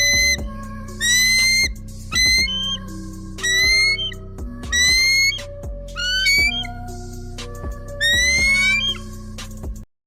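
An eagle gives shrill, piercing calls, each a rising whistled series with a harsh edge, about every two seconds, over steady background music.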